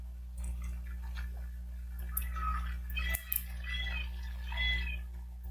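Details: Bald eagle at a nest in Miami-Dade County, Florida, captured by a nest camera on 30 June 2023 at 14:07; several thin, harmonic chirping calls come in short bursts over a steady low electrical hum, with a few sharp clicks.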